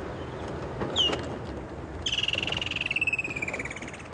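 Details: A Woodland Kingfisher hidden in thick bush in the Sabi Sands, South Africa, on a morning drive, 10 December 2014, gives one sharp high note, then a long rapid trill sliding steadily downward, over a soft background rumble.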